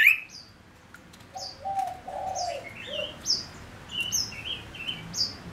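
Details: Male lure bird singing: short high slurred notes alternate with low hoarse warbles, then a run of clear mid-pitched whistles, fairly quiet over a faint background hiss.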